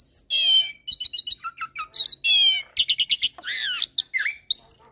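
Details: Asian pied starling song in a training mix with Nias hill myna and a Nias x pied starling hybrid: a rapid varied medley of buzzy rattling trills, sharp clicks, down-slurred whistles and harsh grating notes, loud and nearly continuous.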